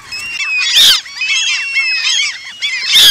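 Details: Eurasian coots of the Asian population calling in a dense flock: many overlapping short nasal, arched calls, with two loud, sharp, explosive bursts near the start and end.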